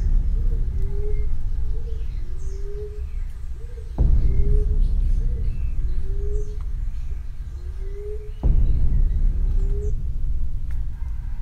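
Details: Emerald dove call played from a Bluetooth speaker to lure doves into a cage trap during a hunt. Soft, low coos, each rising slightly, repeat about every 0.8 seconds over steady background noise, with loud thumps near 4 and 8.5 seconds.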